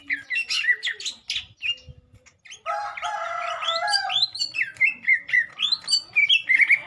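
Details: Lesser green leafbird (cucak ijo) during a mental test, pouring out a dense run of chattering whistles and buzzy notes, then a sustained harsh rattling passage, ending in fast repeated bright whistled phrases.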